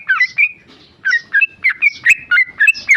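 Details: Sooty-headed bulbul, a tame male, pouring out rapid ropel song: clipped, rich whistles tumbling in quick succession, with one brief gap after the first few notes.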